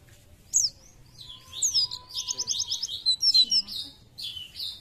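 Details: Oriental white-eye (pleci) singing, a caged songbird: high, thin, rapid twittering phrases with sharp downslurred whistles and fast trilled bursts, gaining strength through the second half, over a faint low hum.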